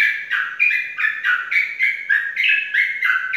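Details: Champion contest Sooty-headed bulbul kept in captivity in Indonesia delivers quick, bubbly chirping notes, each a falling then rising warble, about three per second, loud and clear against a quiet background.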